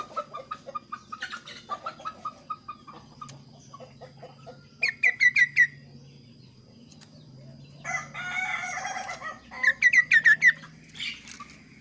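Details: Clear, varied kaso-kaso song: soft scattered chirps, then tight bursts of four or five quick, sharp, falling notes repeated several times, with a rustling burst and a steady low hum beneath.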